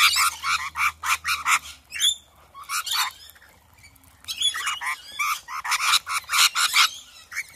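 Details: A swarm of rainbow lorikeets in a front yard in the hills around Adelaide, South Australia, gives harsh, screechy chattering, overlapping bursts of shrill squawks with a brief lull midway.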